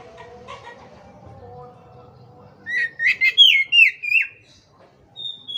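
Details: Kacer (Oriental magpie-robin) song played as a master recording for a bird that has stopped singing: quiet low murmuring first, then a rapid run of six bright whistled notes, some wavering, with one high thin whistle at the end.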